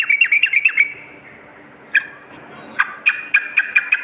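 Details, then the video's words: Sooty-headed bulbul lure recording for morning and night: a quick string of bright chirps, a long quiet gap with a few isolated notes, then another short rapid chirping series. "suara pikat dan masteran burung trucuk gacor pagi dan malam"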